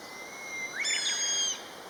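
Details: Common buzzard from a calling pair gives a ringing, drawn-out whistle with rich overtones, held for most of a second after quick sliding notes. Another bird's fainter long whistle runs beneath it.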